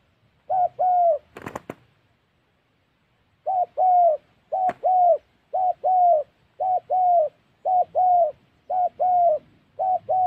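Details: Spotted dove in Gia Lai, Vietnam's Central Highlands, used in trapping, repeating short-then-long low coos; a burst of rattling knocks sounds early on, with a sharp click among the later calls.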